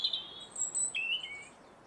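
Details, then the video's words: Robin singing around garden feeders: a brief high thin phrase of clear whistled notes, a sustained squeaky tone opening, then a short falling and rising warble near the end, with faint background hiss. "sounds of the robin"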